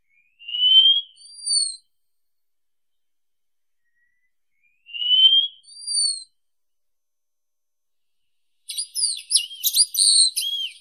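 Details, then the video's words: Wallcreeper (Tichodroma muraria) singing: thin rising whistles, each a slurred note followed by a higher thin note, given twice, then a rapid jumble of high twittering notes near the end. "Голоса птиц Как поёт Стенолаз (Tichodroma muraria)"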